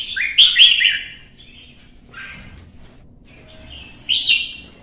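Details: A red-whiskered bulbul singing competitively: a loud, fluty burst of slurred notes, a quieter stretch with brief soft notes, then another bright high phrase near the end.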